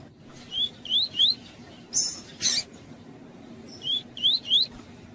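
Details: Female double-collared seedeater (Sporophila caerulescens) calling, used to stir up males, giving short, high, rising chirps in two quick sets of three, with a couple of brief rustling bursts between them.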